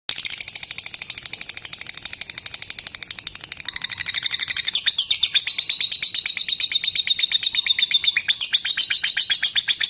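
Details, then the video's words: Lovebird giving a long ngekek chatter, meant as a tutor recording for other lovebirds: a fast, unbroken run of high, sharp chirps that grows louder and more rasping after about four seconds. "Suara Burung Lovebird Ngekek Panjang untuk Masteran Lovebird Ngekek"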